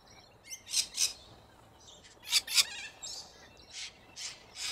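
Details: Australian corella cockatoos in a large flock feeding from root grass. Harsh, high, noisy screeches come in paired bursts and are repeated several times, with fainter squawks between them.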